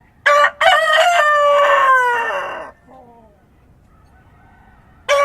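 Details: Rooster crowing at dawn in countryside, a loud harmonic cock-a-doodle-doo of about two and a half seconds, slurring down at the end, followed by a fainter distant crow and the start of another loud one.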